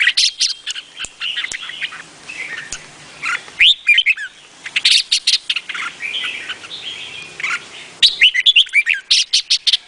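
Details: Vietnamese-type red-whiskered bulbul singing: a mix of sharp ticking chirps and soft warbled whistles. A quieter stretch in the middle gives way to a final rapid volley of chirps.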